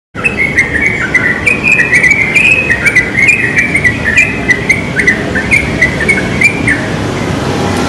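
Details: Wild yellow-vented bulbul singing very actively in a pine tree: a steady run of short bubbly, warbling chirps that step up and down in pitch, with faint high ticking insects and soft outdoor rumble behind.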